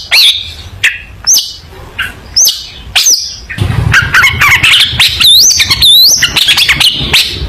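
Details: Long-tailed shrike song meant for young shrikes to learn from: sharp isolated clicks and rising chips spaced about half a second apart, then a rapid stream of looping whistles and warbled notes.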